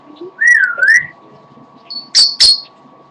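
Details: Pet parrot singing a little while tired: a clear whistled note dipping and rising, then two sharp high whistled bursts, over a steady room hum.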